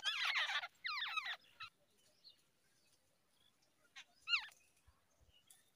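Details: Babbler chicks being fed by a parent in the early morning give harsh, buzzy bursts of wavering calls, two loud bouts then quieter, twisting squeaky notes with pauses between.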